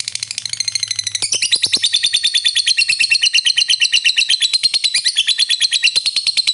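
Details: Lovebird giving a long ngekek song meant to stir other lovebirds: a sustained, very fast chattering trill of high, rapid repeated notes, steady and loud for over five seconds after a brief softer start.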